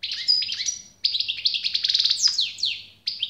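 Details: European goldfinch delivering a lively twittering song broken by one brief pause, including a fast run of repeated clicking notes midway and downward-sweeping chirps, faint hum behind.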